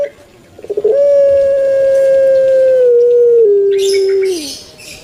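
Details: Captive puter pelung turtle dove, a kept Javanese variety, sounds a few quick stuttering notes, then a long even hollow coo lasting over three seconds before dropping in two steps to a sliding finish. A faint hiss is heard near the end.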